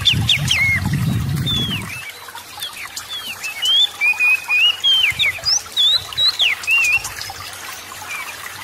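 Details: Song of an Oriental magpie-robin, intended to coax reluctant magpie-robins into steady singing; after an opening low rumble, a fast, evenly spaced series of whistled and slurred notes, some climbing steeply, with a faint hum behind.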